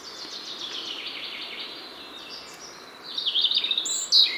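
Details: A European robin in Poland sings a thin, high phrase of falling, liquid notes, then a quick silvery trill and a sharp high note, over soft background hiss; its verses vary and may borrow from other songbirds.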